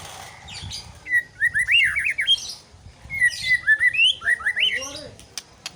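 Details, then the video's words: White-rumped shama singing: two loud phrases of rapid, looping whistled notes that rise and fall between low and high pitches, separated by a short pause, with faint clicks and low background rumble. "murai shama bird"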